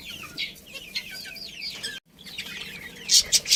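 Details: A colony of budgerigars, including a breeding pair, gives rapid looping chirps and twitters, briefly breaking off, then resuming with a few loud, sharp high notes at the end.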